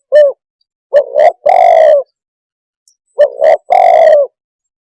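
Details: Two phrases from a spotted dove. Each opens with a brief hoot and a short rising coo, then ends in a longer, mellow, slightly falling coo. There is no other noise.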